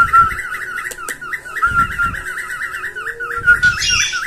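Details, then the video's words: Cockatiel mating call played to stimulate birds to breed and teach them to sing; a fast, repeated warbling whistle of wavering notes runs throughout, with low thumping knocks and a brief clatter. "تحفيز طيور الكوكتيل على صوت محفز شغل الفيديو وستري بنفسك تعليم الكوكتيل التغريد"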